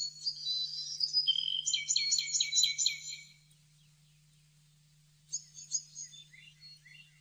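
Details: Blue-necked tanager from Bogor: a rapid, high, chattering burst of stacked trilled notes lasts about three seconds. After a pause come a few thin, sharp chips and short descending notes, all over a constant low hum.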